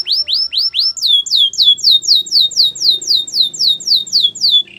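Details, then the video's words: A white canary sings a training song of clear swooping notes that rise then fall, repeated about four per second in an even, bouncing rhythm. "White canary singing | The best canary training song"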